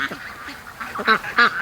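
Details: Free-range ducks in the Sunday morning rush give a few soft quacks, followed by two loud, nasal, raspy quacks close together.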